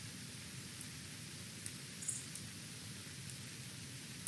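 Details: Low, steady hiss with a soft rumble underneath and a few faint, brief high clicks, with no animal voice.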